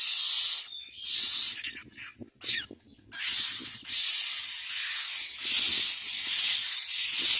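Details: Common myna chicks begging while a parent brings food: harsh, hissing rasps in loud bursts about once a second with brief quiet gaps between.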